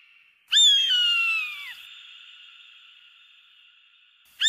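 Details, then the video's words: An eagle gives a loud, harsh scream that slurs downward over about a second, leaving a thin ringing tail before a second scream begins. "Âm thanh đại bàng || The sound and picture of the Eagle"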